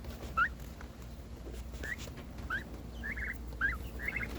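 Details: A pet domestic turkey makes a new noise while seeking attention as its sibling gets more: about six short, rising chirps at an irregular pace, some doubled, over a steady low hum.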